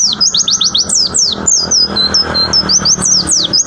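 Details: Pleci, a white-eye, delivers tembakan song: quick runs of high downslurred and upswept whistles, some short flat notes between, continuous throughout against a noisy indoor-sounding background hum.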